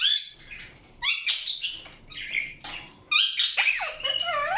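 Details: Chattering Indian ringneck parakeet giving loud, rasping chirps and squawks, grouped in bursts separated by short quieter gaps, several notes sweeping sharply downward.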